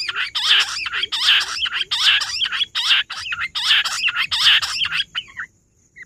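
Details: Rock bush quail recorded 18 July, a run of seven loud, scratchy, chattering phrases about 0.8 seconds apart, each with squealing rising notes, ending abruptly into quiet with a faint high hum.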